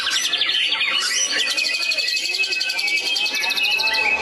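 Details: White-rumped shama from Medan, North Sumatra, delivering a dense, rapid stream of high, varied whistles and chirps with fast trills, the notes tumbling almost without a break for the whole stretch.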